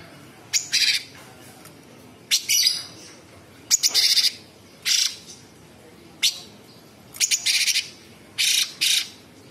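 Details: Sooty-headed bulbul performing a harsh, sharp 'tembakan' variation song, with seven loud raspy bursts of chattering notes spaced roughly one to two seconds apart and short pauses between phrases.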